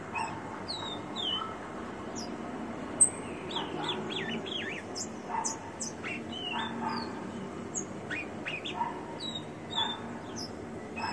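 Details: Banded rufous-collared sparrow kept by a breeder: clear falling whistled notes, then a cluster of quick wavering phrases mid-clip, with scattered high chirps from other birds and a low hum throughout.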